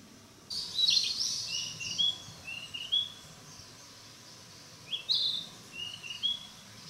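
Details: Narcissus flycatcher singing in mountain woods while still practising its song: scratchy high warbles followed by a string of short, rising thin whistles, a pause, then another burst and whistles.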